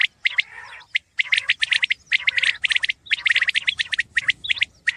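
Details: Common quail (batair) calling, a clear recording from 2020: sharp, bright clicking pulses bunched into quick groups of two to four, repeated with short gaps, some overlapping as though more than one bird calls, over a faint low rumble.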